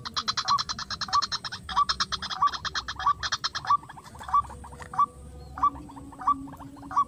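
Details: White-breasted waterhen luring call in a rice field, a string of brief rising notes evenly spaced at roughly two-thirds of a second, overlaid at first by a bright rapid chattering that stops midway; faint hum underneath.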